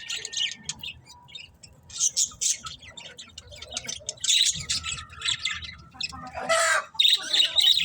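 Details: Colourful pet budgerigars chattering in irregular high, scratchy warbles and squeaks with quieter gaps, rising to a loud harsh burst near the end, over a faint low background rumble.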